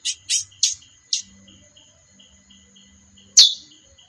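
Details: Female chestnut-bellied seed finch calling: a quick burst of four chips in the first second, a pause, then one louder sharp chip, against soft ticking and a thin high hum.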